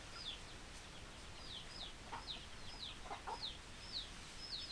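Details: Chickens: a steady series of high, thin, downward-sliding peeps repeats about twice a second, with a few short, low clucks scattered between them.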